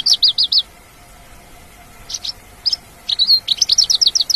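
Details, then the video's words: In the wild, a Mongolian lark sings energetically: a quick series of four high chirps, a pause, scattered single notes, then a dense run of rapidly repeated sharp twitters. "SUARA ASLI MONGOLIAN LARK GACOR DI ALAM"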